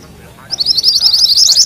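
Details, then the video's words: Short burst of mantenan kuning rolling song: a fast, high, twittering run of notes starting after a moment of quiet. "Suara MANTENAN KUNING ngerol"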